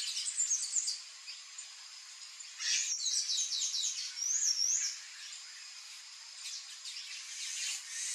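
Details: High-pitched squeaky phrases from a palm tanager, short twittering bursts with rising and falling slurs separated by pauses, the loudest run mid-clip, then softer scattered notes.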